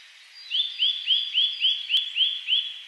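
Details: Eurasian nuthatch recorded on 1 May 2010 in Hakuba village, Nagano Prefecture, Japan; a fast series of eight identical clear upslurred whistled notes, about three per second, over a steady hiss of background noise.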